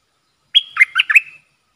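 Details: Red-whiskered bulbul used as a decoy to lure wild birds, recorded 23/07/64: one quick bubbly phrase of four or five warbled notes, mid-pitched with a sliding whistled start, lasting under a second against a quiet background.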